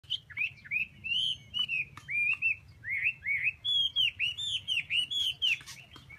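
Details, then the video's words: Chinese hwamei singing a loud, continuous run of rich whistled phrases, many short slurred notes rising and falling, repeated in quick succession with brief gaps, over a faint low background hum. "Hoa mi"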